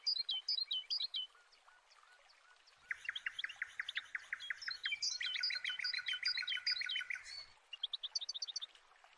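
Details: A jacana helps its young escape a predator, giving high, squeaky chattering notes that build into fast, repeated sharp calls of several voices, pausing briefly before a final burst of high chips.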